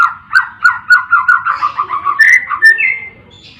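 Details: White-rumped shama, used as a tutor song to provoke other shamas into singing: a rapid series of about a dozen repeated mellow notes, then rising whistles climbing higher toward the end.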